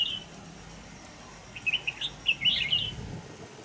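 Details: Red-whiskered bulbul recorded during trapping with a decoy bird in Vietnam on 25 November 2018; after a brief opening note, a quick run of bright, chirpy warbled notes comes in two bursts over low background hum.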